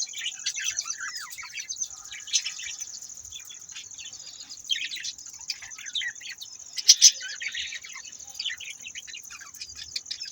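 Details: Budgerigars chattering in a steady stream of high, scratchy chirps and short warbled notes, with a brief louder burst near the seven-second mark and a thin steady whine underneath.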